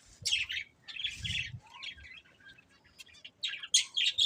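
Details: A breeding pair of budgerigars chirping: bursts of bright, scratchy high warbles and squeaky notes in quick clusters, with short pauses between phrases and a soft low rumble underneath.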